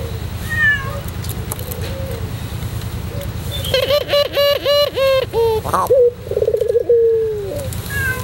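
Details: White Barbary dove, kept as a tutor bird, singing in the pelung cooing style: long, deep, drawn-out coos, several in a row with short breaks, plus thin chirps from another bird and low background hum.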